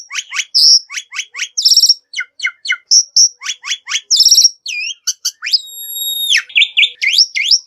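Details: Black-winged myna singing, a recording meant to prompt other birds to sing: rapid varied sequence of sharp chips, clear piercing whistles, buzzy chatter and a long sustained whistled note, delivered almost without pause.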